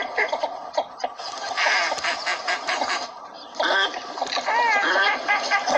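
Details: Northern shoveler duck calling in Pakistan, where these ducks are hunted: many nasal quacking notes pile over one another. A brief quieter gap comes before a burst of wavy, rising calls over continuous flock chatter.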